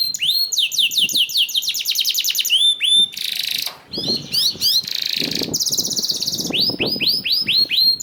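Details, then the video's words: Canary singing to prompt others to sing, with rapid rolling trills of rising notes, then a harsh buzzy stretch and a dense high tour before clear upswept whistles return; soft low thumps beneath. "PANCINGAN KENARI 1 MENIT MENDENGARKAN SUARA KENARI DIJAMIN KENARI IKUT BUNYI #21 || VOICE OF CANARY"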